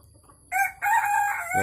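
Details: Tame Sumatran red junglefowl in a free-range enclosure on a May morning crows: a short harsh note, then a longer strained crow with a rough rising end, all over a quiet background.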